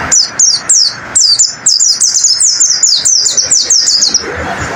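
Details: Pleci (white-eye) training song for caged birds: clear, high, sharply falling chirps, first in short spaced bursts, then a fast, even run of repeated slurred notes, in a quiet setting.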